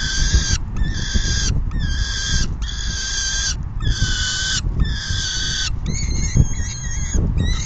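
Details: Peregrine falcons feeding at the nest, June 10, 2022, at 4:08 PM. About seven loud, rasping screeches come in a steady series, roughly one every second, the last ones more broken, against a low, rumbling background.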